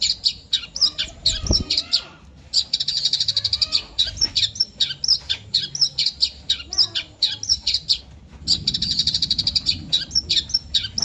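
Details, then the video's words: Eurasian tree sparrow giving bursts of rapid, high, twittering chirps broken by short pauses, then scattered single chirps and a brief low thump before another fast chattering burst. "burung gereja natung"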